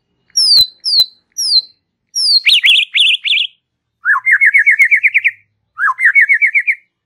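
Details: Relaxed white-rumped shama song for prompting young and forest-caught birds: three crisp descending whistles, then a rapid zigzag warble, followed by two lower rolling phrases of quick rising notes repeated about ten times each.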